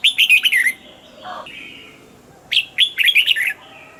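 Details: Two bursts of chattering, rollicking song from a caged red-whiskered bulbul, each a rapid string of bright, downslurred whistled notes, split by a quieter buzzy pause.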